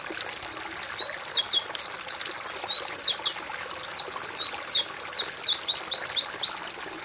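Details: Pleci, a white-eye, singing a training song for other birds: fast stream of thin, high slurred whistles and twitters tumbling one after another without pause.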